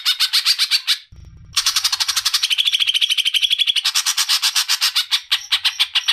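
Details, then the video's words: Greater green leafbird singing for a songbird-tutoring recording: fast chattering note series broken by a short gap, resuming with a dense run of buzzy, rattling notes and a few sweeter whistled phrases. "Materan Cocak Ijo"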